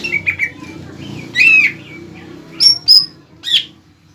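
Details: Greater green leafbird singing to provoke a rival leafbird into song: soft chattering notes build to a loud warbled phrase, followed by two clear high whistles and a final bright note, with a low hum beneath.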